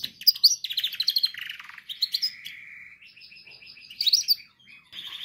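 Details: Canary song for training young canaries: varied warbling phrases of quick chirps and trills, a sustained buzzy roll near the middle, then a run of rapid repeated notes and brighter bursts toward the end.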